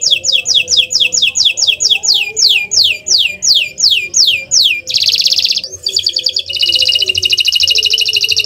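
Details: Canary song used as a training recording to lure other birds: a run of loud, high whistled notes sliding downward about twice a second, then buzzy rapid trills and a fast rattling trill. Faint low hum behind.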